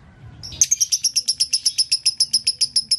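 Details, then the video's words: Lovebird dobelan call: after a brief quiet start, a steady train of high, piercing chirps repeats about six times per second without pause. "Suara dobelan lovebird"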